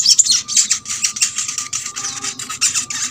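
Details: A crimson sunbird (sogok ontong) delivers a dense stream of shrill, buzzy notes run rapidly together, played as lure song so other birds of its kind start singing; a faint steady tone sits underneath.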